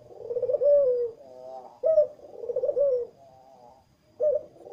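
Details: A collared dove gives low, throaty rolling coos in phrases about a second long, repeated with brief pauses, in a quiet indoor setting; this is courtship cooing from a dove wanting to mate.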